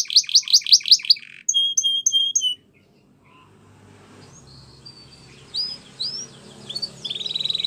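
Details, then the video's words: Spanish Timbrado canary training song: quick harsh chirps and ringing whistled notes, a long quiet gap, then faint scattered whistles and a soft rolling trill building at the end. "Canary Training Champion Song"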